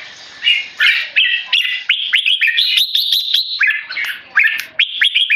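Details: Keke calls of a tame, Singapore-raised male red-whiskered bulbul disturbed by people: rapid, irregular string of short scratchy notes, about three per second, each sliding upward.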